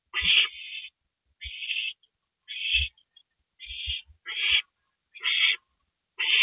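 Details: Owl at a nest at 2:05 AM on April 27 during a gopher delivery, giving a steady series of harsh, hissing screech bursts, each under half a second, roughly one per second, with soft low thumps between them.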